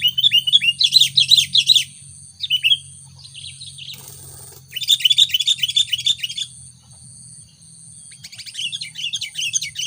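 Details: Sooty-headed bulbul song played to lure wild bulbuls, loud rapid chattering bursts of tumbling, chirpy notes lasting about two seconds each, broken by quieter gaps and softer chirps, over a steady thin high tone.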